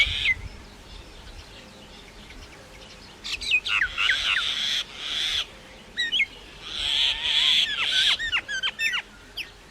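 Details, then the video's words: Myna calling: scattered sharp downslurred whistles and clicks, interrupted by harsh grating screeches, with a short wavering whistle and a few quieter chips near the end. "maina sound Effects"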